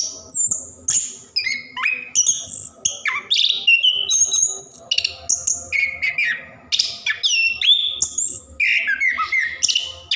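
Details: Energetic orange-headed thrush song, 'gacor ngerol' style, meant to trigger singing in lazy caged birds; rapid sequence of high whistles, downslurred notes and chattering bursts, almost without breaks.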